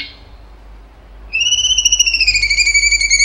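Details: Cucak cungkok in active song with long bursts: after a quiet start, a loud, buzzy, fast-trembling whistled note begins and continues to the end.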